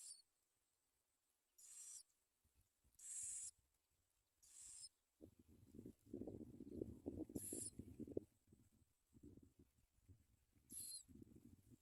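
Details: Bar-winged prinia young at the nest as parents deliver baby locusts: several short hissing high bursts, then a stretch of low rustling and scraping movement around the nest, with more brief high bursts in between.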